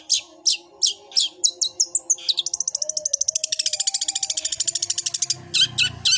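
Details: Fighting long-tailed shrike singing in 'suara gereja' style: spaced high chips, then a long, very fast buzzy pulsed trill, then more sharp notes, with a low rumble near the end.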